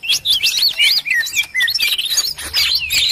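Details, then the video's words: Agitated cucak ijo sounds compiled as a lure for trapping birds: a busy stream of sharp whistled chirps and slurred rising and falling notes, high-pitched and nearly continuous. "suara burung ribut || burung ijo ribut"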